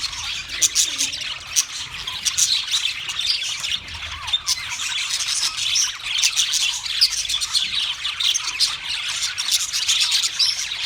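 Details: Australian parrots, March 15, 2024, a large flock keeping up an unbroken racket of shrill, harsh chattering squawks, sharp peaks popping out irregularly over eleven seconds.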